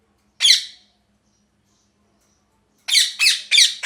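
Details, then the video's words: One harsh parrot squawk, a silence of about two seconds, then four rapid grating squawks tumbling one after another. "Parrot Chirping Sounds | Natural Parrot Sounds | Parrot Calling Sounds"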